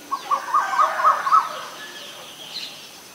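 Asian barred owlet giving a quick series of about six short, harsh, mid-pitched notes over a second and a half, then fading, against soft background hiss.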